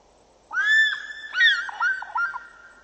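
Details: Two African fish eagles, a juvenile and an adult, calling at Djuma Dam on 6 July 2014: a ringing, slurred first note, then a quick run of shorter yelping notes over about two seconds.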